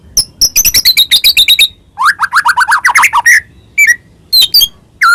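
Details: White-rumped shama, a Medan bird in full varied song played to stir other shamas into singing: a fast stuttering high chatter, then a run of rising buzzy slurs, followed by scattered sharp whistles and short notes.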